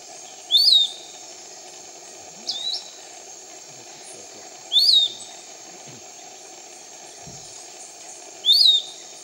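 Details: Piratic flycatcher, a canopy bird, near Iquitos, Peru, giving short, high whistled notes that slur up and down, one every two to four seconds, over a steady insect drone.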